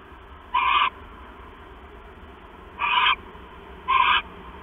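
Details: An owl calling at night as the male brings a mouse to the female, 6 September 2015, 10:52 PM: three short, harsh, wheezy screeches with a slightly deeper tone, irregularly spaced, against a soft steady hum.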